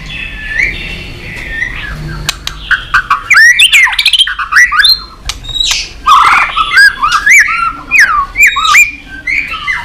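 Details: Excited white-rumped shama in a long streaming song for competition, soft warbled opening giving way to loud tumbling whistles, rapid slurred notes and sharp ticks.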